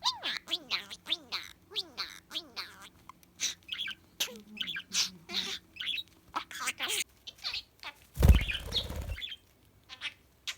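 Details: Pet budgerigar chattering, recorded to aid the search for a lost bird: rapid warbled chirps and sliding squeaks throughout, interrupted by a loud low thump or rustle near the eighth second.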